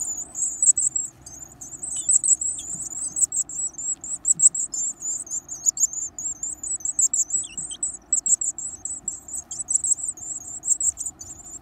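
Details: Varied tit chicks, growing day by day, feeding eagerly on large insects: a continuous high, thin, rapidly pulsing chatter of begging calls with few breaks.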